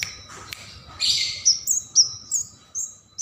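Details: Bar-winged prinia singing for songbird training: a short harsh buzz followed by four or five bright, high whistled notes, each slurred and spaced about half a second apart, over a faint low hum.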